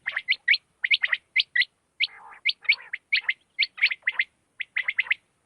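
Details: Night calls of a quail: quick, high, clipped chirps in tight groups of two to four, delivered steadily with a brief raspy, churring patch midway and no other sounds.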